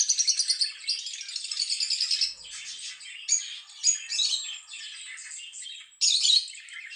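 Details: Chirping lovebird: a fast run of rapid ticking chirps opens, then rasping chatter and squeaky twittering, ending in a loud harsh burst near the close.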